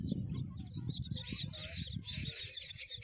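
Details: Myna bringing a green worm to her chicks: a few scattered high squeaks, then a fast run of sharp, rasping high chirps, with soft low rumbling beneath.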